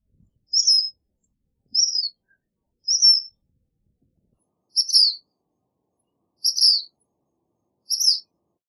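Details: Black phoebe giving a series of six short, high, sharp notes, spaced about one to one and a half seconds apart, the later ones fuller and buzzier.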